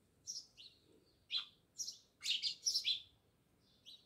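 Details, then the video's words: House sparrows near a village house in Jamnagar giving sharp chirps in irregular series, a few soft notes then a louder run of quick overlapping chirps before fading. "Natural Sound Of Sparrows | House sparrows Chirping"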